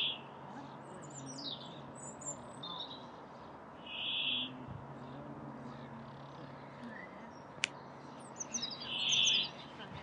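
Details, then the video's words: Brambling display song, recorded on 29 April 2019 in Lindgårdsskogen, Haga, while resting on migration before moving to the northern mountains to breed. Monotonous buzzy drawn-out notes come about every five seconds, with faint chirps from other small birds. "Bergfink spel-sång"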